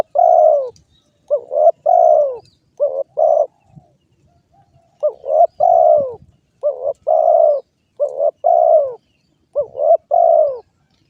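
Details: Spotted dove, locally called derkuku, giving low, mellow cooing phrases of two or three notes each, repeated in clear bursts about every one to two seconds with brief pauses; no other sounds.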